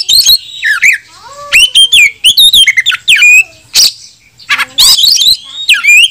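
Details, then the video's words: Oriental magpie-robin singing to goad other males into display and combat: fast mix of sweeping whistled slurs, harsh scratchy notes and lower descending whistles, delivered in dense, lively bursts. "PANCINGAN KACER BUKA EKOR || Gak Sampai 5 Menit KACER LANGSUNG ON Bongkar isian"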